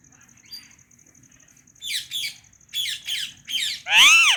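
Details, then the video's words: White rose-ringed parakeet, a calm pet, calling: a series of short harsh screechy notes in pairs, ending in a loud drawn-out arched squawk that rises and falls in pitch. "White Ringneck Parrot Chirping"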